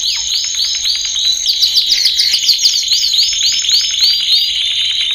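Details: Training song of a male canary: fast runs of sharply falling chirps, some overlapping in quick flurries, delivered continuously at high pitch.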